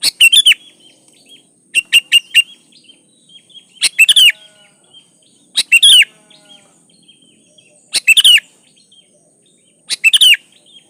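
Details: Sooty-headed bulbul song phrases repeated about every two seconds, each a tight group of two to four bubbly chirps with a fluty rising-falling twist, clean quiet background with faint hiss.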